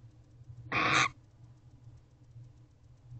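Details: Single raspy, hissing screech about 0.4 seconds long from a barn owl inside its nest box before dawn, 8 November 2023, its attention drawn by something outside; low background hum follows.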